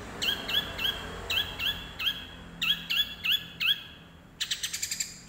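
Long-tailed shrike copying sparrow fighting chirps: short, high, upswept notes about three a second, ending in a quicker, harsher burst of chatter.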